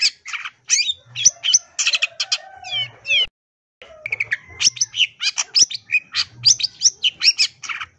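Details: Long-tailed shrike in full, lively song packed with mimicked fills, used as a training recording to set silent shrikes singing: rapid varied chirps, buzzy notes and rising whistles in dense bursts, one short pause midway, a soft low hum beneath.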